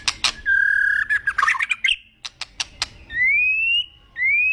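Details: White-rumped shama, agitated, giving a long steady whistle breaking into a harsh squawky jumble, then sharp clicks and two rising drawn-out whistles.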